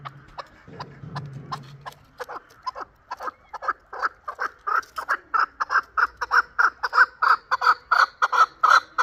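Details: Chukar partridge, a last-year chick from Qavoq in Shurobod, starts with sparse clucks that build into a rapid, accelerating chain of loud chuk notes.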